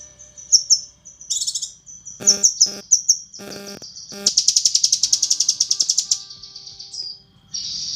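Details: Training recording of a female cucak kinoi calling the male: scattered high whistled notes, a few harsh clicks, then a fast run of high, evenly repeated chirps.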